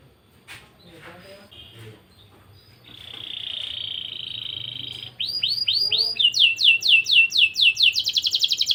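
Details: Young canary singing as a breeding lure: soft scattered notes and a sustained buzzy tone, then loud repeated downward whistled sweeps building into rolling trills.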